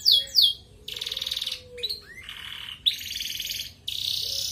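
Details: Red domestic canary in energetic 'gacor ngerek' song, used as a master recording to stir breeding desire in group-housed canaries: high bright trills, rapid buzzy rolls and sliding whistled notes in bursts separated by short pauses.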